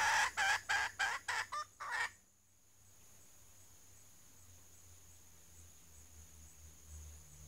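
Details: Female red junglefowl used as a lure, still calling after a fright: seven loud, harsh clucking notes in quick succession over two seconds, then silence with faint low hum.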